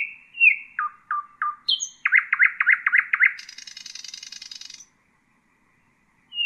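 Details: Nightingale singing a tutoring phrase for chicks: clear whistles and dropping notes lead into a rapid burst of loud repeated notes, then a long dry buzzing rattle before silence.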